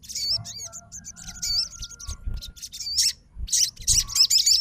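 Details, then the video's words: A fighter Crimson Sunbird answers another sogon's song with uneven, high, squeaky warbles and chips, growing louder into dense bursts toward the end; a faint steady tone runs underneath. "SOGON FIGHTER LANGSUNG RESPON DENGAR SUARA SOGON GACOR"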